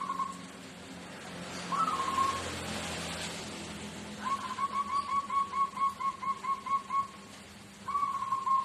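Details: Local zebra dove from Tuban singing in the "seruling sakti" rhythm: a short soft whistled note, then a long rolling series of quick pulsed coos lasting about three seconds, and another brief note, over steady background hiss.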